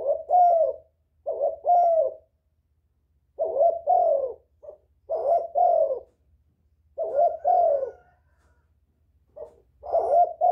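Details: Repeated cooing of a spotted dove used as a lure, short hoarse phrases of two to three coos recurring every few seconds, clear and close against a quiet low hum.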